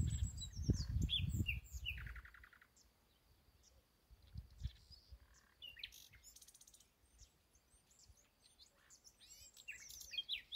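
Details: Nightingale singing its heart out in an ash tree: varied phrases of sharp high notes, a rapid buzzy rattle, then scattered whistles and chirps after quieter pauses, with low rumble early on.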